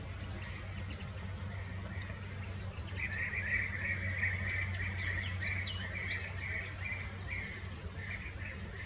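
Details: Fieldfares feeding on berries in the Eifel, Germany, break into a dense, harsh chattering burst midway, a fast run of grating chack notes, with quieter calls before and after over low-frequency noise.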